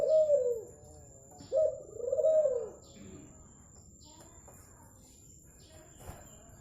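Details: Zebra dove, a native bird of Madura, singing: soft mellow cooing phrases with a short note then a longer rounded warble, repeated after a pause, followed by quiet background.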